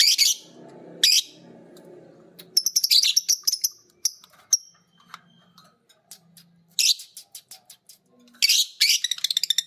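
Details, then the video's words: Green biola and PB Piet lovebirds learning ngekek by listening to a master song: rough noisy bursts, a fast rattling series of high chips, quiet pauses, then two more quick chip runs. "Burung Lovebird biola green vs Lovebird PB Piet❗saling belajar ngekek denger masternya bunyi."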